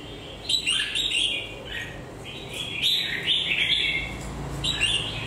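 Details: A red-whiskered bulbul whose beak is moulting sings short, lively warbled phrases of slurred whistles, in bursts separated by brief gaps, with faint room hiss behind.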